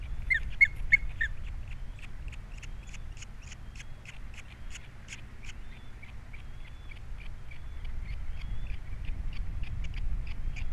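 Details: Osprey at a Captiva nest with three chicks, 21 February 2022, the male left alone after the female flew off; sharp whistled chirps in a fast, uneven series, loudest early on, over steady low wind rumble.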